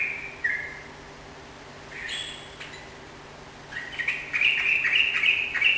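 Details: Yellow-vented bulbul in lively song: short bright chirps at first, then a burst of rapid warbled, bubbling notes near the end over faint steady background hum.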